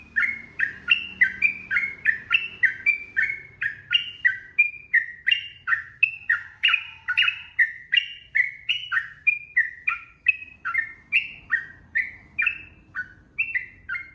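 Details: Yellow-vented bulbul in long, rapid 'ropel' singing: a dense, unbroken run of short bubbly whistled notes, about two per second, rising and falling in pitch, with faint low background hum.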